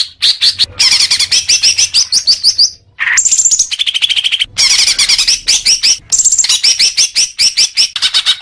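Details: A leafbird sings a rich, varied medley, played as therapy for newly kept young birds: quick chips, high trills, buzzy phrases and steady whistles, run together with only brief breaks.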